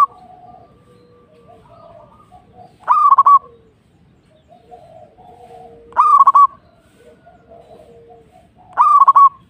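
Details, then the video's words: Indonesian local zebra dove repeating a brief phrase about every three seconds: a rising note then a fast bubbling string of coos, with quieter lower calls filling the pauses. "Suara Burung | Perkutut Lokal"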